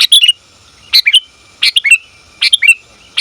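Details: Sooty-headed bulbul female calling for a male, used as a lure recording: short clustered chirps and squeaky notes in bursts roughly every 0.7 seconds, clear and loud against a quiet background.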